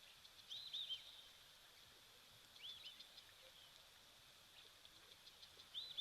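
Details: White-faced whistling ducks call at an African waterhole on 12 November 2024, amid birds, monkeys and impala alarming. They give faint, high, clear whistles in short arched phrases every two to three seconds over a steady hiss.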